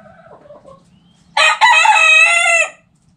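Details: Backyard rooster crowing: after faint hen clucks, a loud harmonic crow bursts in, briefly breaks, then holds steady for over a second before stopping abruptly, over a low background hum.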